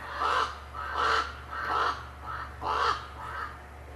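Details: Common ravens at a wolf enclosure in December, constantly active around leftover carcasses after feeding, give harsh, hoarse croaking calls, about five in four seconds at an uneven pace, over a low steady hum.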